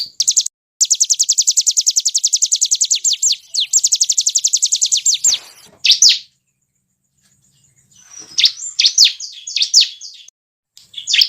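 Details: Bar-winged prinia call for luring birds: a long even machine-gun trill of high ticking notes lasting several seconds, a pause, then scattered sharp chips.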